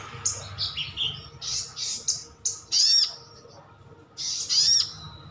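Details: Caged sunbird, locally sogon, sogok otong or sriganti, calling so other birds respond: short high whistled notes stepping in pitch, then loud scratchy chirp bursts with a thin rising whistle.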